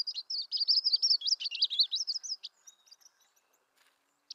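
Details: Myrtle warbler (Setophaga coronata) singing a sweet, fast warbled trill of high notes lasting over two seconds, wavering up and down, followed by a few faint scattered chips and soft background noise.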